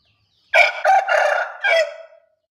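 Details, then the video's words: Bangkok rooster giving a short crow: one loud, harsh, broken crow lasting under two seconds, rising in a few rough syllables and ending in a fading drawn-out tail, with silence before and after. "Suara Ayam jago Bangkok berkokok pendek"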